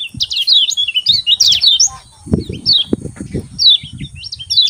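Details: Lemon-bellied white-eye in morning song, the lively 'ciak ciak' style played to make lazy white-eyes sing: quick bursts of bright, high slurred chirps and warbles, a steady faint high tone, soft low knocks mid-clip.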